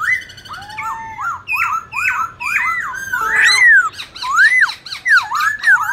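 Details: Black-throated laughingthrush singing competitively with multiple voices: repeated bouncing whistled notes, then a harsh burst, followed by clear swooping up-down whistles.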